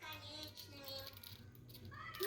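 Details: A pet budgerigar chatters in a quick run of warbled, buzzy notes while playing with and "talking" to its favourite bell, which rattles.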